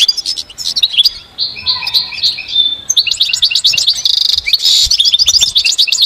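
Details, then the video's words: A goldfinch in nature sings a fast, tinkling twitter of high liquid notes mixed with brief buzzy trills and a few clear whistles, running almost without pause. "recordings of the goldfinch"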